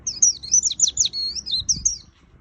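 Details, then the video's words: Bright white-eye song, a fast two-second flurry of very high, thin, sweeping whistles in quick succession. A few faint low knocks are heard in the background. "Suara Burung Pleci Gacor Full Isian - Tiếng chim vành khuyên líu"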